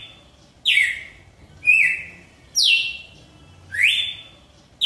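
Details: Red-cowled cardinal (galo-de-campina) singing the song style called "pai filho espírito santo": loud slurred whistles, some sweeping down and others rising, about one note per second, over a faint low hum.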